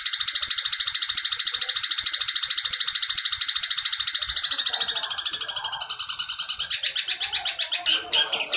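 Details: 'Petir'-style Long-tailed shrike tutoring song for juvenile speckled birds: long continuous grating trill of fast pulses, weakening midway, then breaking into louder stuttering, rhythmic chatter near the end.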